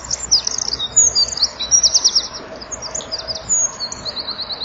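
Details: Winter dusk song of a Eurasian wren at 17:33 on 23 January 2014, perched in front of a nest-wall camera and beating its wings; sharp, high, rattling trills repeated rapidly, strongest in the first half.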